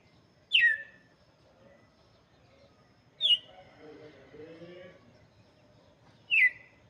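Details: Galo de campina (red-cowled cardinal) singing for young birds: three bright descending whistles with long pauses between them, and a soft warbling murmur in the background between the first two.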